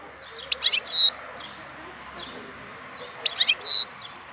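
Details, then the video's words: Bird singing in April, delivering two identical phrases about three seconds apart, each a rapid burst of sharp clicks ending in a clear downward whistled note, over a soft steady hiss. "Cântec sticlele luna aprilie"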